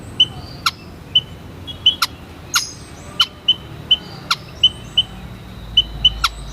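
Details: Thin high whistles from a white-headed munia, single or paired, repeated every half second or so. Loud, sharp clicks come at intervals against a quiet background.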